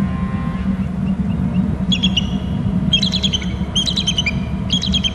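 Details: Male bald eagle at a nest territory on Hornby Island, trilling after fluttering down to a perch: bursts of high, staccato chittering notes about once a second, over steady low background rumble.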